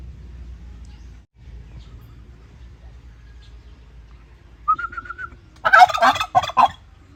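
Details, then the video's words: After several seconds of low background rumble, a turkey gives a short run of whistled notes followed by a rough, rattling gobble. "รวมเสียงไก่งวงร้อง หาฟังยากมาก"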